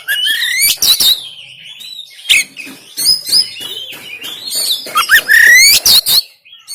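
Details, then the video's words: Oriental magpie-robin from Banten, recorded by Android phone as stimulation for quiet caged kacer: loud upward-sweeping whistles and scratchy bursts, ending in a bright rising whistled phrase and sharp clipped notes. "KACER TEMBAKAN KASAR‼️Full Emosi Dongkrak Kacer Yang Malas Bunyi Dan Buka Ekor"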